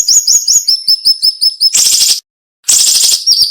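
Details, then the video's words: Thin, piercing notes from a cinnamon-bellied flowerpecker, repeated quickly and stepping slightly lower, then two loud scratchy bursts around a short silence, in a sharp masteran style. "MASTERAN SUARA BURUNG SIRI SIRI NEMBAK TAJAM"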